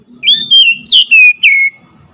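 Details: Oriental magpie-robin phrase of five clear whistles: a long rising note, a sharp high slur, then descending whistles, over a faint low murmur.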